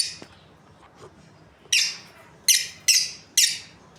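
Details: Breeding pair of Australian lovebirds kept as pets, giving four loud, harsh, high screeching chirps in the second half after a quiet start, each burst short and noisy, in a small indoor space.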